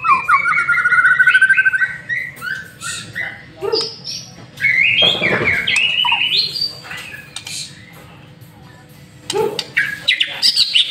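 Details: Lure master song of a white-rumped shama: a long rising whistled phrase, then loud, harsh mixed notes and squawky bursts, a quiet pause and a final short flurry, over a constant low hum.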